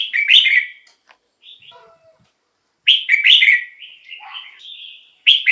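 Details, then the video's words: Red-whiskered bulbul kept in a cage sings phrases used to decoy wild birds and liven up captive ones: loud warbled bursts of sliding whistles separated by quieter notes, with a longer, wavering whistled run near the end. "เสียงนกกรงหัวจุก สำหรับต่อ หรือ เปิดให้นกคึก เสียงเพราะๆ"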